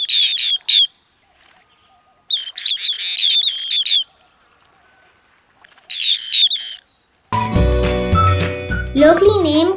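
Asian Green Bee-eater giving three bursts of high, rolling trilled chirps, each about a second long, before music takes over in the last few seconds.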